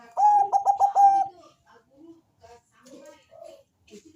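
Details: Zebra dove of the Bangkok type, thick-voiced and melodious, sung to draw calls from other doves: a loud run of about five rapid, rolling pulsed notes, trailing into soft scattered low coos.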